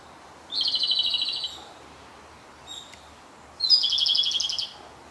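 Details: Japanese robin singing in front of the recordist on its farewell day after a six-day stay: two rapid, rattling trilled phrases with a faint short note between them, in a still setting.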